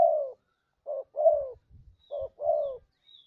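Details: Spotted dove lure call given as repeated pairs, a brief soft coo then a longer mellow downward-sliding coo, three times over, with faint low thumps in the background.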